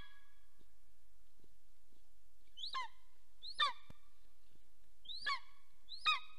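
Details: Nest camera in Soomaa National Park, southwestern Estonia, records a golden eagle pair mating on 17 March 2024 at 10:47 am; four fainter high, downward-sliding yelps in the second half over faint low background noise and soft knocks.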